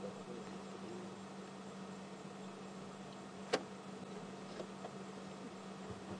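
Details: Quiet steady hiss and low hum with one sharp click midway and a few faint ticks; no animal voices.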